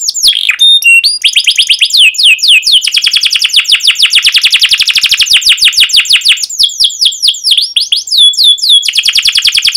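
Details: Canary singing loud and nonstop with long sharp 'cuit cuit' phrases and rolls, meant to teach young canaries: a few whistled swoops open, then a long dense rapid trill of downslurred notes, ending in slower chirps.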